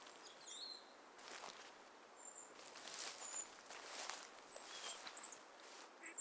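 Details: Canada jay alarm calls on a frosty hoarfrost morning, signalling a predator nearby, possibly a lynx: harsh, raspy bursts repeated roughly every second, with thin high whistled notes between, over a soft outdoor hiss.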